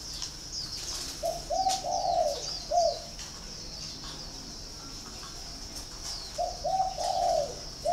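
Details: Spotted dove kept at a bird farm in Ba Vì, Hanoi, Vietnam, giving two mid-pitched cooing phrases several seconds apart, each a quick run of short hollow notes into a longer rolling coo, over a steady high hiss.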